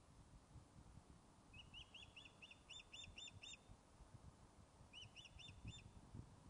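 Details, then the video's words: Osprey Blue44, back on the nest after being lost, fish-calling at Loch of Lowes, Scotland, on a webcam: series of short, sharp, high whistled chirps in two bursts of four to eight notes, over steady low rumbling background noise. "Blue44 "lost" is now back on nest fish-calling"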